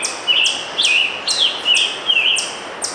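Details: Wild scarlet tanager singing on June 3, 2015, in Letchworth State Park, Upper New York State: a steady series of short, burry, hoarse phrases of slurred notes, about six in three seconds, with light background hiss.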